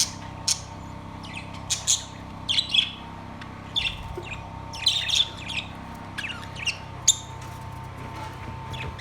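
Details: Separate sharp chirps from caged budgerigars on September 3, 2023, spaced irregularly every second or so, with short quiet gaps between them and a soft hum underneath.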